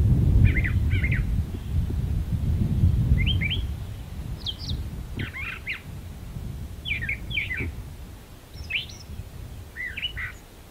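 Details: Brown thrasher in a magnolia tree singing short, varied phrases of chirpy, scratchy notes, often doubled, spaced a second or two apart, over low rumbling background noise.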